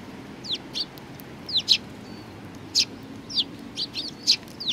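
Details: Sparrows at a Tenmangu shrine, recorded 4 July 2019; short, sharp descending chirps at irregular intervals, single and doubled, over a low background hum.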